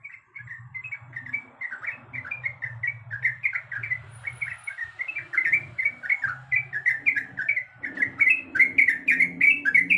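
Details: Female sooty-headed bulbul in heat calling a male, repeating fast, slurred chirps about three per second, growing louder and brighter toward the end, with a low mechanical hum beneath.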